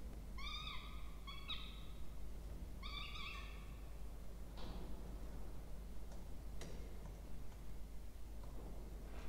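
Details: Peregrine falcon chicks begging while fed at their nest box on a water tower, Charles Sturt University, Orange, Australia, 20 October 2024. Three bursts of grating, wavering whines fill the first three seconds, followed by soft knocks and rustling.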